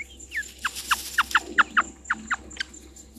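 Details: Spurfowl at Gowrie dam waterhole, Djuma Game Reserve, Sabi Sand Wildtuin, South Africa, on 22 August 2023 at 17:04, giving a loud harsh series of about ten downward-slurred grating notes in three seconds, bunching together mid-series, then thinning out.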